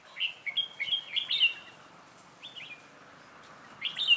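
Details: Red-whiskered bulbul decoy singing on 11/12/2016 to lure wild birds toward a trap: crisp, loud whistled notes in a quick run of rising and falling phrases, a quieter pair, then a final burst.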